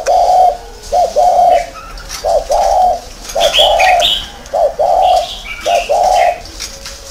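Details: Spotted dove cooing: soft, mellow, low hooting notes delivered in short paired phrases about once a second, with brief pauses between groups and faint higher chirps from other birds in the background.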